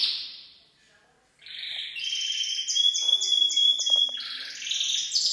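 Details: Full song of a Gloster canary, opening with a high buzzy phrase, a brief pause, then a long pure whistled tone layered with rapid pulsed notes and a rough trilled finish.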